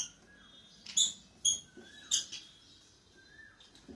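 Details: Two pet lovebirds starting their day: three shrill, sharp chirps in quick succession about half a second apart, then a softer rising whistle-like note, over a quiet indoor background.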